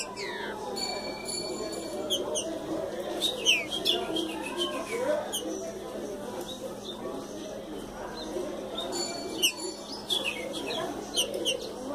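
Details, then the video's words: Green-winged saltator coming out of moult, 7 July 2017 around 11:05, gives clear, high whistled notes and quick slurred phrases, with other small birds chirping over a busy murmuring background. "Trinca Ferro Saindo de Muda"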